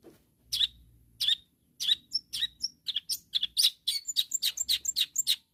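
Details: Calling to rivals, a long-tailed shrike gives spaced harsh chattering notes that speed up into a dense, jerky series of high scratchy chirps and thin whistles.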